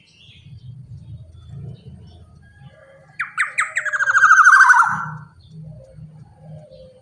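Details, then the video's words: Lively, large-bodied black-naped oriole used as a lure for other orioles: a quick series of sharp notes runs into a loud, buzzy, nasal call that falls in pitch, over a low background rumble. "KEPODANG KICAUAN GACOR BODY SUPER BESAR cocok untuk pancingan kepodang emas"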